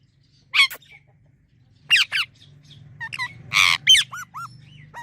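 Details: Parrot squawking: harsh broad squawks, then a string of short rising whistled notes, over a low steady hum in the background.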